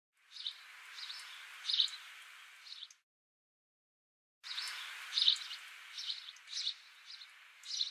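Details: House sparrow in Australia, recorded 26 December 2015: short chirps around the upper-middle pitch range, in two bursts separated by a silent gap of about 1.5 seconds, over steady background hiss.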